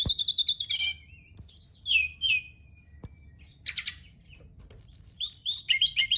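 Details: Brown-chested jungle flycatcher song played at night as a therapy and lure for singing birds: stacked high whistles, slurred descending notes, a sharp buzzy burst and closing flurries of rapid chirps, with a few faint clicks.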